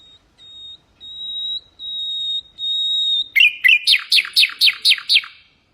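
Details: Common nightingale, Hasaniya song meant for tutoring goldfinches and canaries: long sustained high whistles swell in volume, then give way to about eight rhythmic, rapidly repeated downslurred notes.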